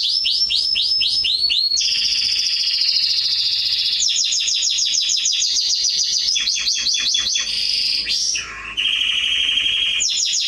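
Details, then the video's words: Canary singing, a training recording for young birds; a long varied performance of fast descending sweeps, sustained rolling trills, rapid repeated notes and whistled phrases, with one brief pause. "CANARY SINGING - Serinus canaria | كناري | canarios"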